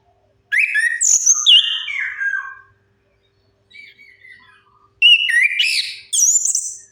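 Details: Orange-headed thrush song used as a lure to prompt silent birds to sing: varied loud whistled phrases with rich high notes and slurred descending notes, a quieter pause midway, then a bright burst of whistles.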